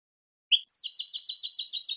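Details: European goldfinch, recorded as a song model for young goldfinches: a low opening note, then a quick, rippling series of high liquid twitters.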